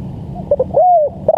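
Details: Part of a spotted dove call used for training and luring birds: a couple of soft clipped notes and one smooth arched coo, with a faint low hum behind.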